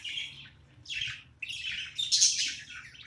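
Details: Budgerigar chattering during play: a steady run of buzzy, scratchy warbles with brief gaps, growing louder and denser toward the end, indoors.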